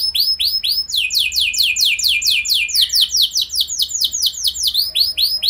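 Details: Canary song played as a lure to make other canaries sing: loud series of high, curved down-slurred whistles repeated in rhythmic runs, changing speed between phrases, continuous throughout.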